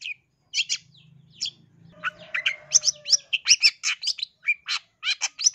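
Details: Long-tailed shrike from East Java, a lure meant to excite other shrikes into singing: scattered harsh chips, then a fast series of buzzy, scratchy notes, with a low hum and a faint steady tone underneath.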